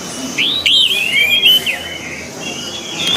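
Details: Orange-headed thrush song from a training recording for birds. A rising whistled note is followed by a long, looping, warbled whistle, then a softer, sustained whistled tail.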